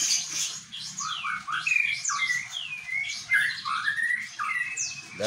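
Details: White-rumped shama, a competition bird, delivering its bar-winged prinia imitation: a lively stream of loud, clear whistles sliding downward and upward, each note distinct, with faint low background noise.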